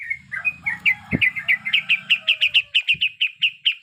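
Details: A breeding female yellow-vented bulbul calling to males gives a quick, even series of sharp, sweet chirps that speed into a regular pulse of about four notes per second. A soft thump is heard partway through.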